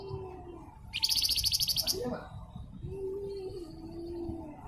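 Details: Javan fulvetta (flamboyan) song for tutoring other birds: a dense, buzzy, rapidly pulsed trill of about a second, high-pitched, followed by a few thin whistled notes. A steady low hum and a faint lower tone run underneath.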